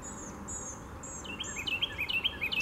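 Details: An Eastern towhee sings at Ocmulgee National Monument on April 4, 2015: thin, high, drawn-out whistles, then a quick, bright trill of repeated sharp notes, over a faint insect hum; a Northern Cardinal and a Blue-gray Gnatcatcher are also audible.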